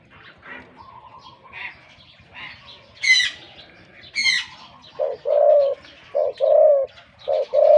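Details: Wild-caught spotted dove kept as a big-voiced decoy bird, giving a run of low, rounded coos in the latter half, preceded by higher chirps and trills from other birds.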